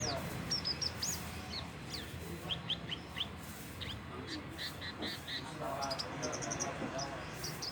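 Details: Young Horsfield's bush lark (branjangan) learning to sing, its song not yet full; scattered short high chirps and thin downslurred notes, some in quick pairs, over a steady low rumbling background with murmuring voices.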